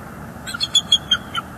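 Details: Bald eagles on a northeast Florida nest cam, December, with an adult chasing juveniles off; a quick run of six thin, piping chirps, evenly spaced, over faint low hum.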